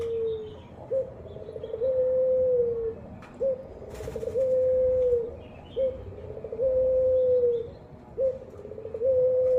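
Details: Ringed turtle dove cooing actively: a short low note followed by a long, level, drawn-out coo that sags at the end, the pair repeated about every two and a half seconds over a quiet background.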